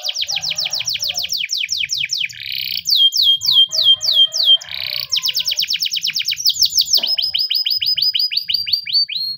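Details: Morning training song of a Spanish timbrado canary, made of fast runs of steeply falling whistled notes, broken by short buzzy bursts, then a long series of ringing downward slurs repeated about three per second; low background hum.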